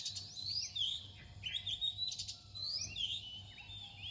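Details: Lively near-dawn song of an Oriental magpie-robin: loud, varied whistled phrases repeated in quick succession, mixing sharp high slurs with fuller, lower sweeping notes. A faint low hum runs beneath.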